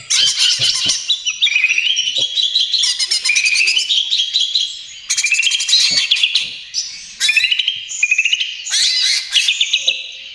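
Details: Greater green leafbird, speckled 'trotol' form, in sustained forceful song as a lure and therapy for other birds: repeated bursts of very rapid trilled chips and sweeping high whistles, separated by short gaps, with occasional low clicks.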